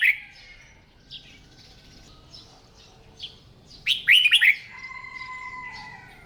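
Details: Red-whiskered bulbul in morning singing practice as a trained song bird; a clear whistled, warbling phrase of quick rising and falling notes bursts out midway, after a quiet stretch with a faint note, then a steady whistle lingers.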